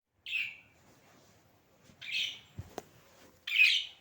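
A budgerigar gives three short, harsh chirping calls, each followed by a pause.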